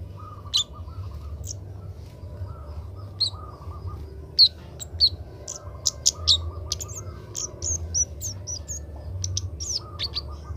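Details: Young Oriental magpie-robin being trained and learning to sing: sparse, irregular high thin chirps and brief whistled notes, scattered through the recording over a steady low hum and a soft buzzy background sound.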